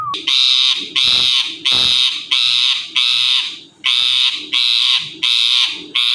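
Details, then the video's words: Indian ringneck parrot, a talking bird, giving loud harsh screeches, each about half a second long and repeated roughly once a second in a steady series, with faint low knocks between calls. "the best talking parrot mittu"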